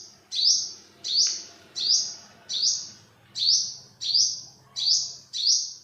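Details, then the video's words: Olive-backed sunbird repeating a sharp, high, upslurred note about eight times in a regular rhythm. A soft low background murmur runs underneath. Recorded 2021. "เสียงนกกินปลีอกเหลือง Olive-backed sunbird, Yellow-bellied sunbird"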